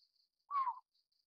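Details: A juvenile Collared Scops Owl of the Taiwan endemic subspecies glabripes gives a single short, raspy, falling note against a faint steady insect hum.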